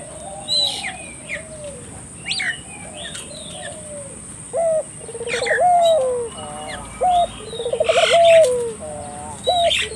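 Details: Turtle dove lure call for getting local doves to answer: softer scattered coos at first, then louder rolling trills and sustained notes, mixed with wing flutters and high chirps of other birds.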